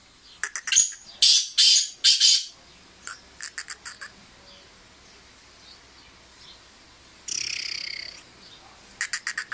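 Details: A fearless Sindhi black francolin gives an excited display of loud, harsh, grating notes in quick bursts, then softer clicking notes and a rasping burst, over a quiet background.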